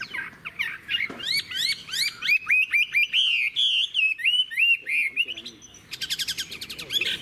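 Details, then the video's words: Sustained song of a wild-matured old Chinese hwamei: a fast series of upward-sweeping whistled notes, several per second, climbing in pitch, ending with dense rattling buzzy trills. "Họa mi già rừng hót hay - Đuôi lá vả - Trường chim"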